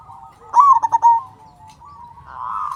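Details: Local zebra dove singing loudly. A single burst of quick, rattling coos tapers into a soft drawn-out note, and then another dove's cooing swells.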